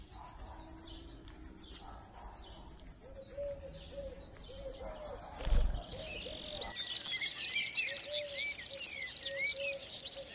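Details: European serin among olive branches, giving its nuptial song, heard from early April: a fast, high, tinkling jangling cascade fills the second half, after a stretch of rapid insect-like pulsing and soft low repeated notes.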